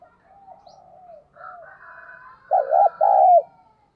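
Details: Spotted dove decoy calling, đồng pha voice with thúc and gáy gọi: soft, wavering distant-sounding coos lead into one loud phrase of a double-humped coo and a long descending coo.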